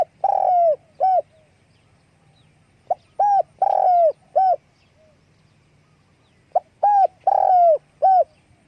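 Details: Spotted dove in wing-flapping display, calling in three matched phrases: a clipped note, short coo, long downslurred coo and final short coo, spaced about three seconds apart in quiet surroundings.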